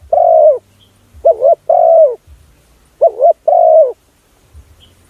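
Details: Spotted dove lure call for attracting other doves: loud, mellow coos in pairs and singles, each note wavering slightly, roughly five notes over five seconds with clean silent gaps and faint low rumbles between.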